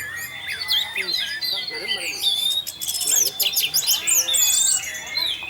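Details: Lure song of an orange-headed thrush in 'teler' (tarantula) style, meant to draw other thrushes into song: busy, overlapping whistles and trills running almost without pause, with faint background voices.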